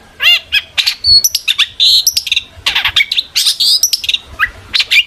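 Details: Energetic long-tailed shrike song used as a lure so other shrikes answer: a dense jumble of squeaky whistles, harsh chirps and mimicked-sounding phrases, loud and continuous.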